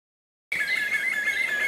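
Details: Black-fronted nunbird (Monasa nigrifrons) at Pirenópolis, Goiás, Brazil, giving a loud, sustained, wavering whistled call at mid-high pitch, lasting just over a second after a brief silence.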